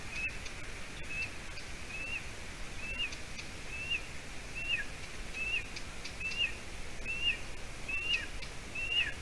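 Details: Golden eagle nestling in Latvia calling around 6:20 p.m. on 30 June, as the adult female brings roe deer leg hide. Regular run of high, short upslurred peeps, about one per second, with faint rustling and hiss.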